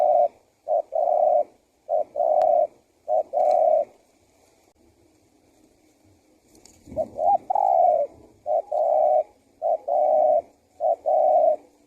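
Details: Male spotted dove, a lure recording meant to bring wild doves near and make them answer: repeated mellow coo phrases, each two clipped notes and a drawn-out coo, in steady runs with a quiet pause mid-way.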